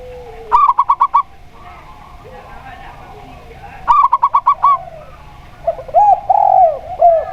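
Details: Local Indonesian zebra dove, perkutut lokal, singing with a clear voice, played against a spotted dove as a lure: two quick bursts of about six clipped, ringing notes ending in a longer coo, followed by arched cooing notes from the other dove.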